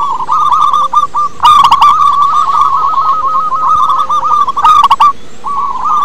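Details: Local wild-type zebra doves, offered as a lure for other doves, keep up a long unbroken chain of hooked, rolling coos, punctuated by two loud crackling bursts before trailing off.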